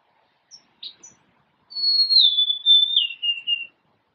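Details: Golden-crowned sparrow giving a clear, sad-sounding whistled song of about three notes, each stepping lower than the last, after two short high chips; quiet background.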